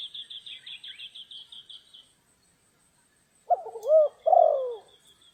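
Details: Spotted dove at a trapping site on a rainy, stormy day in Vietnam: after a high, rapid repeated trill from another bird fades, two low, throaty cooing phrases follow, each rolling then dropping in pitch.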